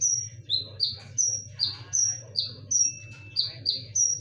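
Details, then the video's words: Lure song of a konin in full rapid bursts, sharp and loud: a fast run of very high, piercing notes, each sliding down briefly, alternating between two pitches about three times per second over a low steady hum. "KONIN GACOR FULL TEMBAKAN / SUARA TAJAM DAN NYARING / BERANI DENGARKAN SUARA PANCINGAN KONIN INI??"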